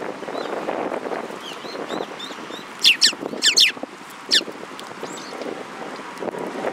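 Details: Sparrows at a shrine on 15 March 2022, a group giving short high chirps, then several loud sharp chirps in a quick cluster, over a low rumble of background noise.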